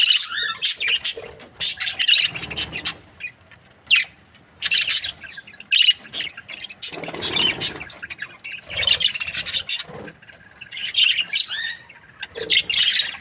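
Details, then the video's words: Happy budgie breeding pair from Australia giving intermittent squawky chirps and warbles across thirteen seconds, with silent spells between louder bursts. "Happy budgie chirping sounds | Australian budgies breeding pair"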